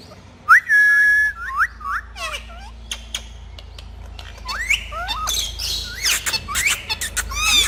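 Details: Parrots from a talking group: a long steady whistled note, then bent and rising chirps and squawks, ending in a dense burst of high squeaky calls.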